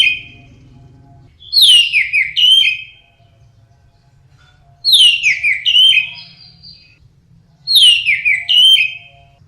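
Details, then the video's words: Orange-headed thrush singing teler style: three similar warbled phrases, each opening on a bright rising note then tumbling downward, repeated about every three seconds over a faint low hum. "Kicau Anis Merah Teler"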